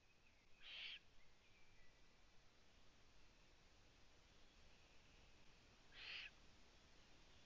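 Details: Two short, hoarse hissing shrieks from owlets in a nest, about five seconds apart, over a steady low background hum; recorded 4 June 2017 at 15:20 as the owlets looked upward and two went onto the balcony.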